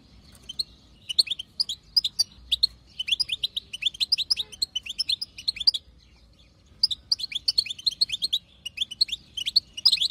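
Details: A wild female European goldfinch chatters to push a male into song. Long runs of rapid, high, twinkling twitters and chips come with a few short gaps and a faint steady hum underneath.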